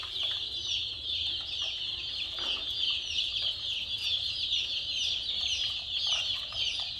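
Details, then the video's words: A group of colourful chicken chicks keeps up a dense, unbroken chorus of shrill peeping cheeps, many overlapping, over a steady low background rumble. "Murgi Chicks Chirping Sounds"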